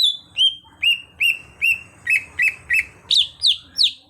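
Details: Cucak hijau (greater green leafbird), a raw bird trained to sing gacor, gives evenly spaced arched whistles about every 0.4 seconds, shifting at the end to higher, harsher sweeping notes.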